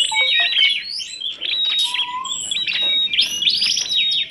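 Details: Songbird mix of kacer, tledekan gunung and prenjak in full song: bright overlapping whistles and chirps, several high sliding notes, with a lower clear whistle near two seconds and a few short dropping notes early on.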